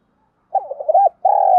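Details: Female spotted dove kept as a decoy, calling to lure and excite wild males: a quick run of soft, wavering low coos, a brief pause, then one long sustained coo ending in a sharp click.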